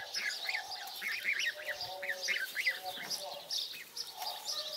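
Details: African geese goslings, 22 days old, being fed. Many thin, rising peeps overlap in quick succession, with higher chirping throughout.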